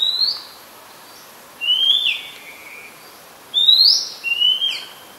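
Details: Oriental magpie-robin singing in Ubon Ratchathani, Thailand, 2 July 2022, a very common resident; loud whistled notes given in two bursts, each a rising whistle followed by a lower falling slur, separated by a pause of about a second.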